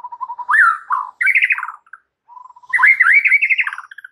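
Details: White-rumped shama singing actively, a full song with mimicked filler phrases, used to stimulate silent or stressed birds: soft low whistled notes run into rising, rolling phrases, a short pause, then richer warbled phrases resume.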